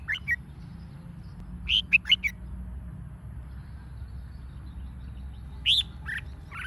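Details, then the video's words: Red-whiskered bulbul lure song for stirring up competition singing; a short opening note, then a quick burst of four lilting whistles, later another couple of bright notes, soft hum underneath. "Chào mào mồi hót | Kích chào mào hót đấu"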